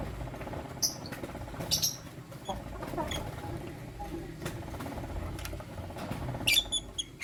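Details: Caged lutino lovebirds, one male with two females, give short, shrill, high chirps in scattered bursts of two or three, with rustling and cage clatter between them.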